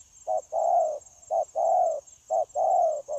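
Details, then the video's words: Wild-caught spotted dove cooing readily, dated 9 January 2024; three evenly spaced phrases, each a short low coo then a longer mellow one, with constant high hiss. "Bổi Quá Chịu Gù | Nết gù liền lạc liên tục"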